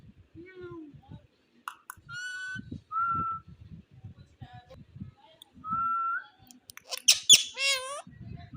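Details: An Indian ring-necked parakeet mimics speech in short, raspy word-like bursts, with steady whistled notes between them and a harsh squawk near the end.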